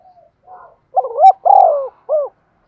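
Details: Spotted dove decoy call, a female used to stir other doves into cooing: faint soft notes lead into a loud low cooing phrase, a long rolling coo, then a short final hooting note.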